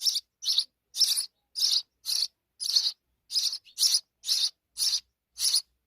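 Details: Baby sparrows with their mother: harsh, scratchy chirps repeated about twice a second, loud and evenly paced, over a quiet background.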